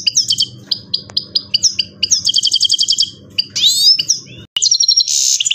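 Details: Himalayan goldfinch in captivity delivering bursts of sharp chirps, a buzzy trill, then rising and falling whistled slurs and a harsh buzzy note, over a faint low hum.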